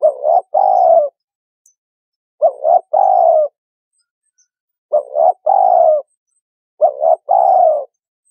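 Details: Spotted dove used to lure birds for trapping, giving four evenly spaced phrases of a quick doubled coo and a longer throaty croon, about two seconds apart, against silence.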